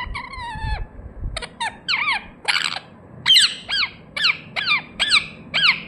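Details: Natural calls of a pet ringneck parrot: a drawn-out harmonic squawk followed by repeated sharp screeches, each bending down in pitch, roughly every half second.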